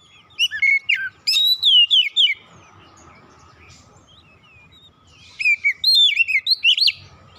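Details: Oriental magpie-robin singing, played to calm and restore a stressed kept bird: two bursts of rapid, sharp whistles and chirps with falling slurs, separated by a quiet stretch with a faint steady hum.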